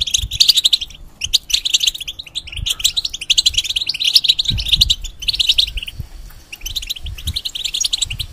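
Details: European goldfinch kept in a cage and played to teach young hybrids, giving rapid tinkling twitters in bursts separated by brief gaps, later thinning to scattered chirps; faint low knocks underneath.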